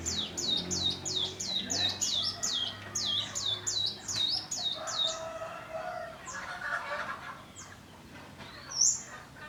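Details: Young wild bar-winged prinia learning its ngebrem song style: a fast run of about thirteen high, sharply down-slurred chips, evenly spaced, then looser buzzy notes and a single high upward note against low background rumble.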